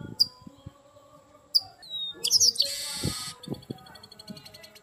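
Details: Ringing song of a chestnut-capped blackbird (garibaldi, papa-arroz), described as fiery: two sharp chips, a thin descending whistle, then a dense buzzy rattle, with softer ticking notes and low background rumble afterwards.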